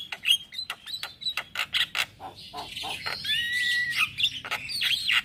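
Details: Morning singing of a male Black-winged starling, used as a lure and tutor for starlings: sharp clicks and chatter, then a long rising whistled slur over harsh rasping.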